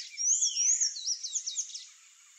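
Palm tanager song: high, thin squeaky notes, a couple of sweeping slurred whistles followed by a quick run of sharp, buzzy chips, over faint background hiss.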